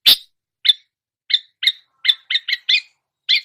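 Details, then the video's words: Long-tailed shrike mimicry of other songbirds: one sharp opening note followed by sparse, short nasal chirps at irregular intervals, clustering briefly near the end. "masteran cendet menirukan semua jenis burung kicau"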